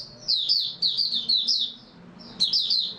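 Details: Oriental white-eye song from 3 March 2022: a fast, high, sweet warble of tumbling notes, a brief pause, then another twittering burst.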